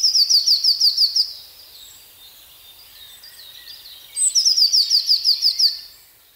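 Eurasian blue tit singing two bright, high, fast trills of about eight ringing notes each, separated by a three-second pause with faint background hiss.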